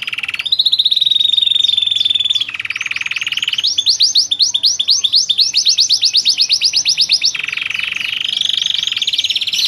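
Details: Loper canary in full, varied song: long rolling trills at shifting pitches, a steady high whistled tone, fast high chattering runs and sweeping slurred notes, delivered almost without pause.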